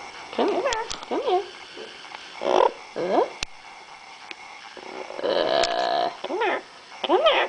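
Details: Female Yellow-naped amazon kept as a family pet, inside a painted cage, said to sing, talk and blow kisses; wavering hoarse speech-like calls and squawks repeated, mixed with a person calling "come here" and sharp clicks.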